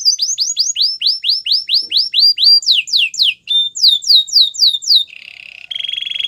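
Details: Singing canary, offered as a song for training canaries: crisp repeated downslurred whistles in quick series, shifting to faster sweeps, then low buzzy rolled trills.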